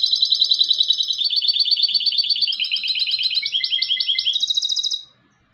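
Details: A European goldfinch hybrid sings a sustained, rapid high trill. The pitch slides downward in steps, then rises sharply for a final burst before the song stops abruptly.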